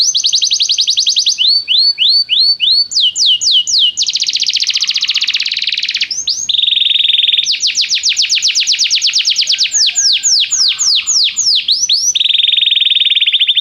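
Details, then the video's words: Canary training song to make a canary sing right away: alternating tours of rapid trills, rising swoops, dense buzzy rolls and slower sweeping notes, loud and continuous. "o som de atrair seu canário para cantar imediatamente"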